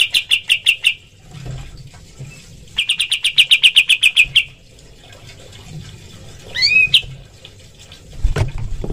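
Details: Cotton pygmy goose, recorded as training material for other birds: two short bursts of rapid sharp notes separated by quieter gaps, a single rising squeal, and a low thump near the end.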